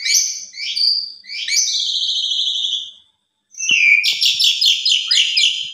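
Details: Asian pied starling lure song for prompting other starlings: high whistled phrases, a pause, then a rapid rattling, buzzy series with a few soft clicks.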